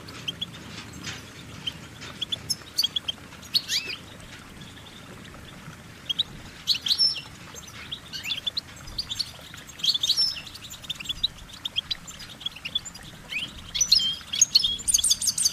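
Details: Goldfinches singing: short, high, scattered chirps and twittering notes come in bursts throughout, busier toward the end, over a steady low background hiss.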